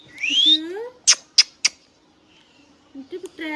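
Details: Hand-tame pet rose-ringed parakeet talking: a rising whistled note, then three sharp high clicks, a pause, and short harmonic chattering syllables at the end.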